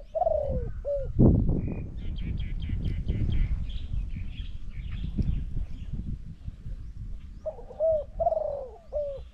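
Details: Spotted dove in a bird-trapping contest, calling to a decoy: low cooing phrases at the start and end, with loud handling and rustling noise in between.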